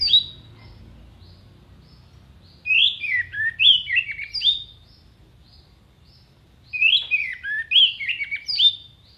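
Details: Gacor orange-headed thrush giving contest-training song: two long strings of varied whistled notes, each note jumping between high and lower pitches in a lively, broken warble, separated by a few seconds of near-silence.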